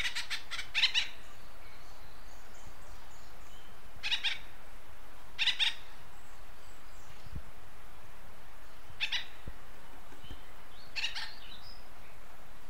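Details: Acorn woodpecker giving short, raspy doubled and tripled notes, the bursts spaced several seconds apart, with a few soft thuds low in the background.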